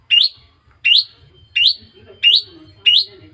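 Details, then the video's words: Young captive long-tailed shrike, raised from a chick some months earlier and now beginning to sing: five sharp, upward-sweeping chirps spaced about 0.7 seconds apart, each bright and high, over a faint low rumble. "dapat anakan burung cendet,,sekarang dah molai berkicau"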